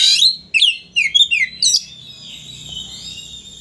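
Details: Oriental magpie-robin song meant to provoke a rival into tail display: a loud run of five quick, slurred whistled notes, followed by quieter sustained high warbling.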